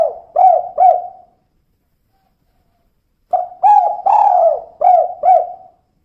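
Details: Two short low coos from a female spotted dove, then a long silence and a full five-note kuk-kuk phrase. The phrase has a drawn, swelling middle coo and clipped notes at each end.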